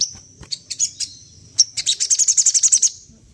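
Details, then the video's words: Sunda laughingthrush mimicking other birds: scattered high chirps, then a fast, even series of about a dozen bright piping notes that fades out at the end. "SOGON GACOR || AHLINYA MEMANCING BUNYI BURUNG LAIN"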